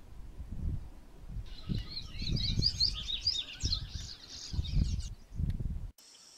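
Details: Patativa singing a rapid, varied warble of high twittering and chirping notes for about four seconds, over loud low rumbling noise throughout.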